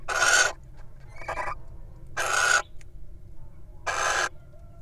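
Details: Wild little owl incubating eggs, taking a break to feed on a mouse: three loud, harsh, hissing bursts, each about half a second long and spaced nearly two seconds apart, with faint rustling between them.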